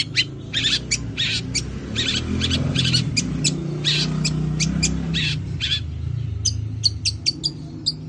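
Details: Madura long-tailed shrike, described as a lively fighter, in Greja sambung Kunti song: dense run of rasping high chatter, then sharper thin ticking notes near the end, set against a loud low humming background.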